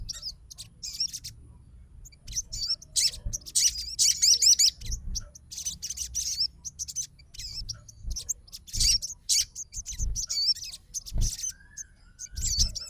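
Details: Sogon fighter answering another sogon's song: a busy jumble of high, thin chirps and short wavering trills, at times dense and loud, at times sparse, with low background rumble.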